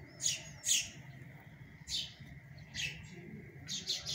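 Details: Sparrows, parents feeding their chicks; short, bright chirps in about five separate bursts, each rough and high-pitched, spaced roughly a second apart, with a low background hum.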